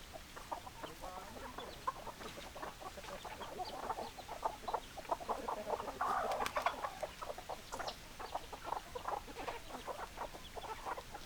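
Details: A busy flock of chickens keeps up rapid, overlapping clucking, with the notes packed densely and swelling louder around the middle before settling back.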